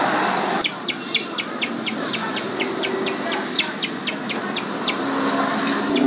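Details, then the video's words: Lovebird calls used to provoke other lovebirds into calling and chattering: rapid series of sharp high chirps, evenly spaced about five per second, over heavy broadband background noise. "lovebird fighter"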